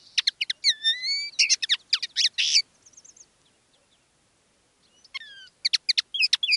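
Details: Two decoy common linnets singing live in differing styles; here sharp twitters and long rising whistles, a buzzy burst, a pause of about two seconds, then the twittering resumes.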